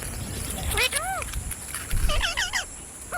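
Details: Parrot vocalizing: a few short rising-falling whistled notes, then a quick cluster of chirpy warbled syllables near the end, over a steady high electronic whine and low background rumble.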